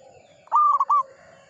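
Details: Zebra dove of local type giving one clean song phrase: a clear sustained coo followed by two brief coos, loud and close over a low steady background tone.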